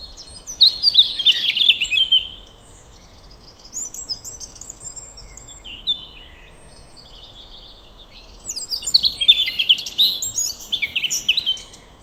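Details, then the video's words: Soothing sunrise chorus of birds in a forest or garden: a dense twittering burst, scattered softer high notes through the middle, then a second long run of busy, overlapping chirps and tweets. "Birds Chirping Sound,पक्षियों के चहचहाने की आवाज़"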